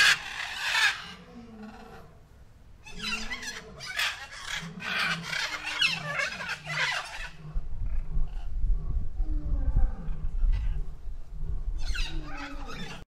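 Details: Peafowl calling in a run of loud, harsh, ragged bursts, several close together, then softer scattered calls as a deep low rumble grows in the background.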